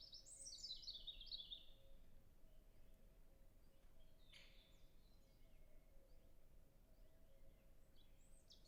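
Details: Distant European robin in a natural reserve, early spring: a brief high run of sliding, trilled notes at the start, then quieter phrases later, set against continuous low wind noise.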